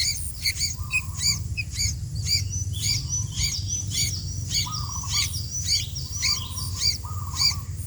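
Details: Sooty-headed bulbul, kutilang, singing actively: short bubbly high phrases repeated about every second, mixed with steady flat mid-pitched notes, over a strong low rumbling background noise.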